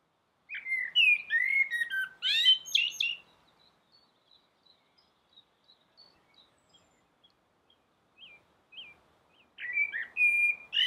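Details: Common blackbird singing from a rooftop: a rich, low fluted warble of several looping notes, then a squeaky high twitter, a pause with faint distant chirps, and a fresh fluted phrase starting at the end.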